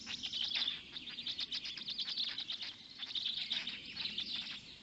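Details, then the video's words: Black stork chicks in a nest in Poland's Noteć Forest, 6:09 am on 19 May 2020, while a parent feeds them; dense, rapid high squeaky chirps in bursts, some nearly continuous, with brief quieter gaps. "Polish Black Stork~Parent is feeding the storklets"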